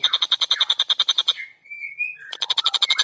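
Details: Clear, fast, tightly packed song of an actively singing long-tailed shrike, recorded for training songbirds: a rapid rattle of harsh, buzzy notes, then a short rising whistled phrase, then the quick buzzy series starts again.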